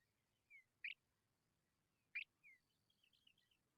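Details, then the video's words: Hungry young Tawny pipits give two harsh, buzzy begging bursts about 1.3 seconds apart, with a soft falling whistle after each and a twittering flutter at the end. "Tawny pipit bird babies are very hungry"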